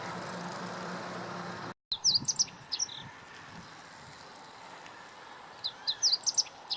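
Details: Meadow bunting song, Lake Teganuma, April 2017: two quick bursts of high, sharp, twittering notes about four seconds apart over a quiet, faintly noisy background.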